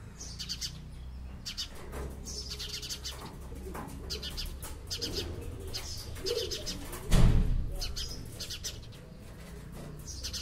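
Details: House sparrow chirps in scattered bursts of quick high notes over a rumbling background, interrupted by a loud thump near the later part.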